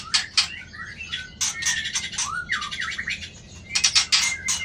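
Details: Shama with a 24 tail, displaying to intimidate a rival with tail flicks. It gives rapid harsh rasping bursts between short sliding whistles, ending in a loud clustered chatter with thin whistled notes.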